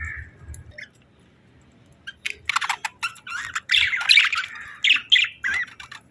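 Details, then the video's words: Budgies chirping: a faint short call opens, then after a quiet pause comes a burst of rapid, scratchy chirps and chattering warble notes at mid to high pitch, louder and denser toward the end, in a small indoor space. "Budgies Chirping Sounds"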